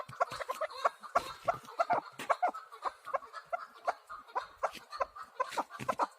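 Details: Chukar partridge giving a loose, uneven run of short clucking chuk notes, fairly faint against a quiet background.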